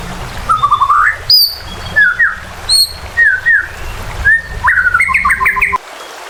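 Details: White-rumped shama in agitated, provocative song meant to stir other birds to fight and sing loudly, with a river flowing behind; clear whistled phrases, some rising and some slurred, come in short bursts, then a rapid jumbled flourish.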